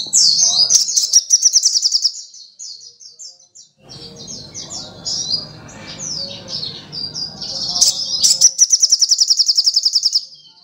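Sunbird pouring out fast, high, thin twittering trills and rapid repeated chips, broken midway by a few seconds of low rumbling background noise.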